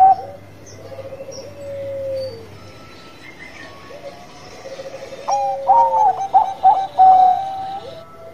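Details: Actively singing Bangkok-type zebra dove: soft low falling coos for several seconds, then a loud cluster of quick, bubbling staccato notes, another dove cooing underneath.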